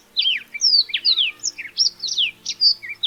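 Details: Black-throated canary (Crithagra atrogularis), an African songbird, sings a fast, tumbling run of high, sweet whistled notes and quick slurred trills, rising and falling without pause, communicating with other members of its species.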